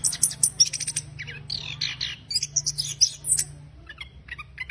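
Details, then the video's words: Chattering orange-headed thrush song meant to stimulate a silent bird; busy, scratchy run of high chips and buzzy notes, easing into sparser calls toward the end. "ANIS KEMBANG NGERIWIK KASAR UNTUK PANCINGAN ANIS KEMBANG MACET"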